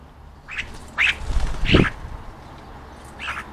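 A European starling gives four short, harsh, squawky notes at irregular intervals over a low background rumble.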